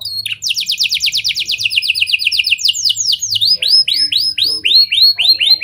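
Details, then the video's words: Caged canary in full song, its style mixing lovebird and prenjak phrases, meant to spur other canaries to sing; a rapid high trill of falling sweeps, then slower, separate upswept whistles about three per second. "Kenari Gacor Cengkok Lovebird & Prenjak! Ampuh Buat Pancingan Kenari Lain Agar Gacor Panjang"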